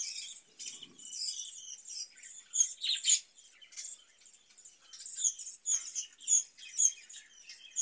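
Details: Budgerigars kept in a breeding cage, warbling in a soft chattering stream punctuated by sharper squeaks every half second or so near the end.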